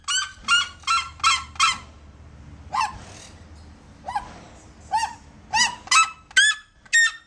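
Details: A captive pair of Red-legged Seriemas giving their curious call: loud, harsh, yelping notes in quick series of four or five, then scattered rising yelps after a pause, with a faint low hum behind.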